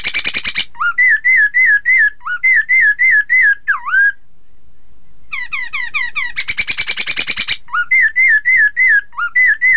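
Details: Chinese hwamei song for making rival birds sing along: bouts of evenly repeated looping whistles broken by a loud swooping note, a brief pause, then a fast buzzy rattle and more repeated whistles.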